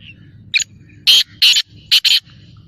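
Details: Black francolin (kala teetar) giving its harsh call: a short squeaky note, then four loud, rasping, buzzy notes in two pairs, delivered over about one second against a low background hum.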